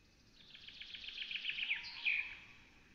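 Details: Black stork storklets at a Hungarian nest begging as an adult arrives and feeds them, a burst of thin, high chattering notes rising to a run of sharp squeals, quiet against a soft background hiss.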